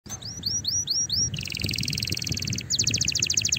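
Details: Canary singing strongly to stimulate other canaries to sing: five rising whistled upslurs, then a fast high buzzy trill, then a second rapid trill of repeated notes.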